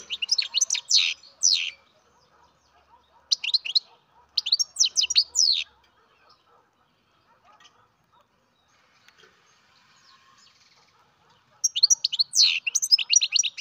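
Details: Young captive-bred European goldfinch twittering in three bursts of rapid, high, tinkling notes, each lasting one to two seconds and separated by long near-silent pauses, with soft faint clicks in between.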